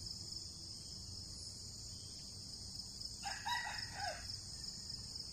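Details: Wild red junglefowl trapped with a decoy, two birds taken while fighting fiercely; a single moderately loud, hoarse crow of about one second rises over a constant shrill insect drone and low background rumble.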